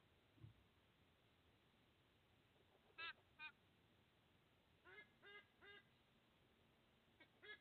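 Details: Sea eagle at a nest in Australia on 30 August 2024, the father bringing food to two eaglets; a few nasal, honking harmonic notes in short groups, two around three seconds then three quick ones, over steady background hiss.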